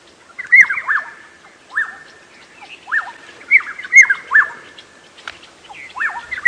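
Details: Several black-headed orioles, recorded on a 7 AM safari drive on 5 October 2016 around Djuma Game Reserve, trade liquid, fluty whistles, each note swooping down then up, in loose overlapping bursts with faint chirps behind.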